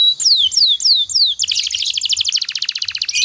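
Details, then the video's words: Canary song used as a master recording to train other canaries into dense, long 'nembak rapat' singing: four downward-swooping whistled notes, then a rapid dense buzzy trill ending in a short rolled phrase. "suara burung kenari"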